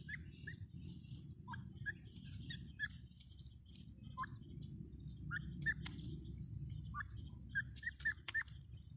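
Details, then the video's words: Series of brief upward-sweeping whistles from a grey francolin, loosely grouped, over constant low-pitched background noise and scattered high twittering from other small birds. "Teetar ki awaaz | teetar ki boli | teetar awaz | gray francolin teetar sound"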